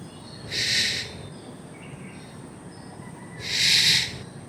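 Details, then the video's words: A black-naped oriole gives two harsh, rasping, nasal calls about three seconds apart, each lasting under a second, over a quiet background hiss. "Sounds of Black-Naped Orioles"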